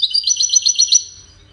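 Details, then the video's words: A Wediani European goldfinch gives a quick, high, trilled phrase of about eight pulsing notes that trails off after one second. "طائر الحسون الويداني"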